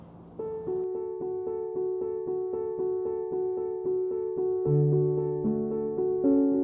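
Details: Piano music with steady repeated keyboard notes and chords, growing slightly louder toward the end; no animal voices are heard.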